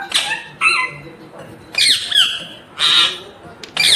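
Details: Pet ringneck parakeet indoors giving loud, harsh, high-pitched squawking syllables in four separated bursts, strained and scratchy in tone.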